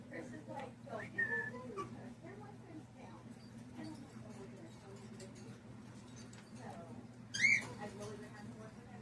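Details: A green Monk parakeet (Quaker parrot) at a pet store chatters in speech-like mimicry, with a short whistle early on and a sharp rising squawk near the end, over a steady low hum.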